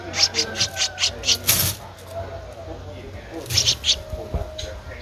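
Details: Streak-eared Bulbul nestling, 13 days old, in Ubon Ratchathani, Thailand, 15 April 2023: sharp high chips in a rapid run of about nine, a pause, then a few more, over a low steady hum.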